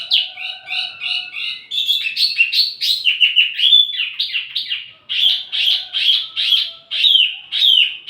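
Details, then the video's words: High, lively Wambi mini song meant to attract and tutor flowerpeckers: twittering repeated notes give way to varied, wavering warbled phrases and rhythmic chirping pulses. "wambi mini burung pancingan sekaligus masteran buat tledekan anda"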